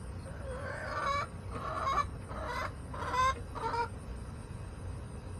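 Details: Backyard chickens filmed on August 28, 2024, hens calling in a series of harsh, nasal, drawn-out clucks, five short bursts in quick succession over low background hum.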